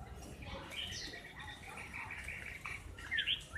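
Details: Two captive laughingthrushes, a six-season silver-cheeked bird and a buff-skinned one that seldom sings and attacks aggressively, fight and peck each other. Laughingthrush sings varied warbling phrases with chattering notes and a sharp flourish near the end over a low hum.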